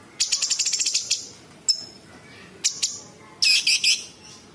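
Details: Sooty-headed bulbul (cucak cungkok) in busy tembakan song, full of imitations of small birds, large birds and insects and used as a master for training birds: a fast run of ten high chattering notes, then isolated sharp chips and a short buzzy burst.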